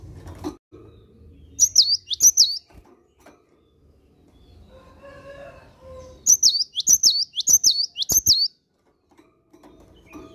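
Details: Cinereous tit in morning song, two bursts of high whistled two-note phrases, the second a run of five, separated by a pause with a soft lower warbling sound and some knocks.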